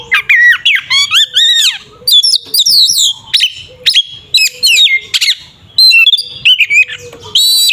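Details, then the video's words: Kacer (Oriental magpie-robin) in ngeplong fighting song, meant to anger rival birds: clear rising and falling whistled phrases with repeated chip notes and short loud bursts, separated by brief pauses. "Suara burung Kacer TARUNG NGEPLONG sangat efektif untuk pancingan Kacer agar emosi"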